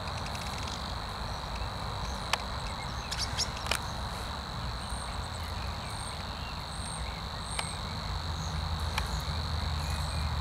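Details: Savi's warbler in reeds at Zakole Wawerskie, 12 April 2023, reels a steady, insect-like buzz that runs unbroken throughout, with a few sharp clicks, brief high notes from other birds and a low background rumble.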